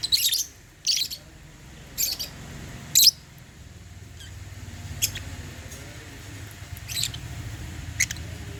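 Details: Caged African lovebirds at meal time, feeding on holy basil, give bright, piercing chirps about once a second, loud at first and then softer, above a low background rumble.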